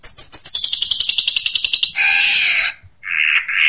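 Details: Long-tailed shrike singing 'tembakan unik': a fast, descending series of sharp, high notes, then a loud, harsh, buzzy screech, a brief gap, and another rasping burst.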